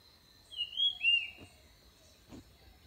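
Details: Orange-headed thrush, called nok krong din in Thai, with birds said to come in quickly to the sound; a clear whistled phrase of two slurred notes, the second falling, over a steady high hiss, with faint clicks afterwards.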